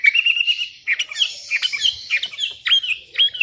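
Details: Sooty-headed bulbul calling rivals, wild bulbuls answering: a steady whistled phrase opens, followed by quick irregular bubbly notes and short slurred whistles.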